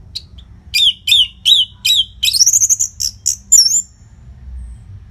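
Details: Orange-headed thrush (anis merah) in full song, used as a masteran to train fighter birds: a series of five evenly spaced downslurred whistles, then a fast rattling trill and sharp high chips.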